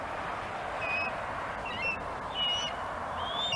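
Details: Bald eagle at a webcam-watched nest on Gabriola island, one bird mantling and keeping prey while another waits to steal it; a few thin, faint whistled notes spaced irregularly over steady background hiss.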